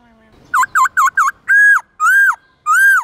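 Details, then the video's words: White-cheeked laughingthrush morning forest-voice song for training young birds: four quick looping whistled notes in a row, followed by three longer, drawn-out, arched whistles spaced about half a second apart. "Khướu bạc má hót giọng rừng nhiều giọng buổi sáng"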